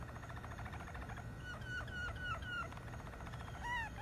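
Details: Malinois canary singing a run of about five clear, slightly falling notes in quick succession, then a rising slurred whistle, over a soft rolling background and low hum.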